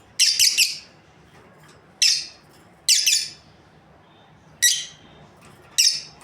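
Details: Lovebirds, a breeding pair, opening with a rapid triple burst of harsh high chirps, then single rasping notes every second or so; indoor background.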